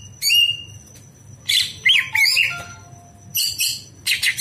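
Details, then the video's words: At night, greater green leafbird song for training other birds: a clear whistled note, then harsh squawky bursts and tangled warbles, a few pure low whistles, and rough chattering at the end, over soft hum. "masteran cucak hijau di malam hari"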